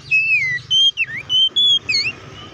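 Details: Short burst of Oriental magpie-robin song in lively 'ngeplong' style, meant to provoke other magpie-robins. A long falling whistle, then a few sharp, clear notes and a V-shaped swoop, with a low background hum.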